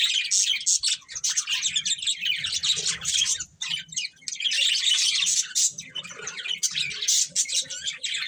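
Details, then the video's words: A breeding pair of budgerigars warbling almost without a break, a continuous stream of high, scratchy, twittering notes with only a short dip midway. "Colourful Budgies Chirping Sounds"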